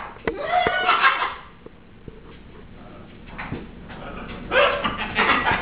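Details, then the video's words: Pet macaws (scarlet, green-winged, blue-and-gold) indoors give harsh, raspy squawks in two loud bursts, each about a second long, with people talking and laughing in the room between them. "The chaos with macaws begin"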